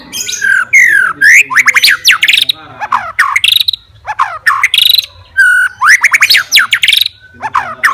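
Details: White-rumped shama, a fighter bird singing to provoke rivals, pours out loud varied phrases of steep downslurred whistles and rapid sweeping notes in bursts separated by short pauses.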